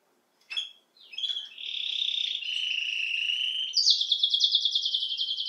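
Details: A Belgian canary opens with a sharp call note, then sings a warbling buzzy phrase and shifts into a high, fast, pulsing trill of repeated notes.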